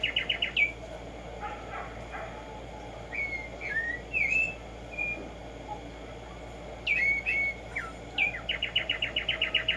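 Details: Wild tumba yegua, the Black-striped sparrow (Arremonops conirostris), at morning: short rapid trills open and close the passage, with sparse slurred whistles between them and a constant background hiss.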